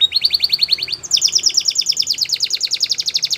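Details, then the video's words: A Belgian canary sings rapid, high rolling trills, one fast run of notes giving way to another even quicker, brighter roll, with no other sounds. "Belgian Canary Singing"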